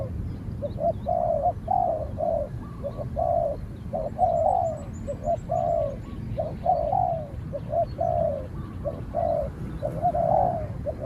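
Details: Spotted dove outdoors, a trained bird countering a wary wild dove that fights from a distance before being chased off; mellow two- and three-note coo phrases repeat roughly every second over a steady low rumble.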